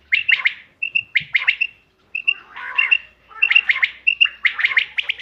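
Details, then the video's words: Quail calling, recorded 5 June 2025 for hunting use: quick groups of sharp, liquid, high-pitched notes, each burst about half a second with brief pauses between. "bater ki awaz shikar k liye behtareen awaz quail bird sounds for hunting بٹیر کی آواز"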